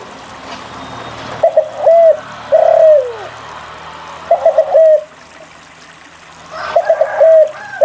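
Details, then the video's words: A spotted dove in full song, used to draw reluctant doves into singing. Three phrases of stuttering short coos each end in a sustained coo that drops in pitch. The phrases are spaced a few seconds apart over quiet hum. "SUARA PANCINGAN DERKUKU GACOR UNTUK MALAS BUNYI"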